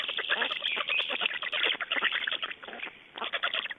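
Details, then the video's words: Black storks at an Estonian nest on 29 May 2012, during nest changeover and feeding; dense runs of harsh, rapid rasping pulses, quack-like bursts packed closely together, briefly easing near the end. "Estonian Black Storks - Change and feeeding"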